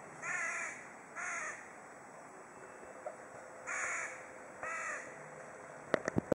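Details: Crow in Kaliningrad croaking at another crow: four harsh, hoarse caws in two pairs, each about half a second long, with a steady high background whine and a few sharp clicks at the end.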